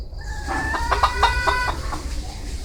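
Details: Bantam rooster giving a short harmonic crow of rich stacked tones with a few pulsed notes, lasting under two seconds, over steady low rumbling background noise.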